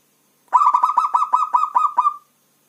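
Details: Zebra dove of local Javanese stock: a longer run of about ten to eleven even, throaty coo notes on a level pitch, spaced evenly over a second and a half, clean with no background.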